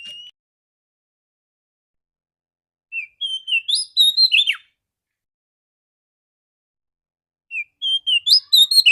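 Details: Female Oriental magpie-robin singing in the morning, used as a lure to stimulate males; two bursts of clear, high whistled and chirping phrases, rising and warbling, separated by several seconds of silence.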